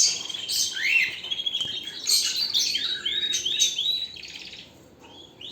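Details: Canary singing varied phrases of high chirps, rising slurred whistles and short buzzy notes, loud at first and fading to quiet near the end.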